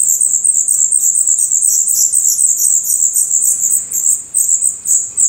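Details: Black Redstart young in the nest in Portugal, eyes now open and true feathers growing, keep up a fast, insistent chorus of thin high-pitched squeaks.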